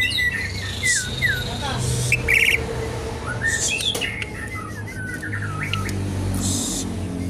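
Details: Asian pied starling song used as a lure and to teach other birds: falling whistled notes and harsh chattering bursts mixed with a steady low hum.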